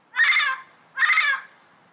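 Two harsh, raspy squawks from a yellow-headed amazon, each about half a second long and spaced under a second apart, against a quiet background.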